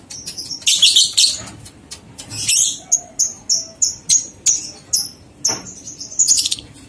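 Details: A lovebird gives ngekek song meant to stimulate two-month-old young lovebirds. Dense raspy chatter opens, then short sharp notes repeat steadily about three times a second, ending in another chattering burst.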